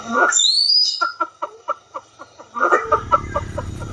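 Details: Southeast Asian pheasant opening with a loud burst and a thin rising whistle, then a run of short, evenly spaced pulsed notes, ending with a louder cluster over a low rumbling background.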